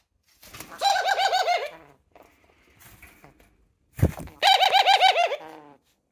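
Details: Pet doves kept indoors; two bouts of rapid rolling coos, each a string of quick pulsing notes lasting about a second, separated by a pause with faint soft rustling.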